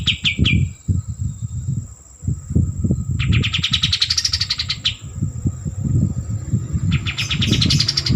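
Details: White-eared bulbul singing: short sharp opening notes, then two long rapid chattering trills of high notes that rise and then drop, separated by a pause, over heavy low-pitched background noise.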